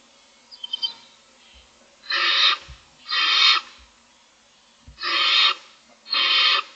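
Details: Barn owl nestlings, six owlets hungry in the morning, give faint chirps, then four loud rasping hisses in two pairs, with soft thumps in the nest between them.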